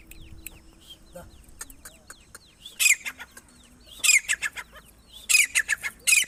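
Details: Female grey francolin (teetar) calling, used as a lure for hunting and trapping: loud harsh bursts in clusters near the third, fourth, fifth and sixth seconds, over a faint background chorus of thin, descending whistles from other birds.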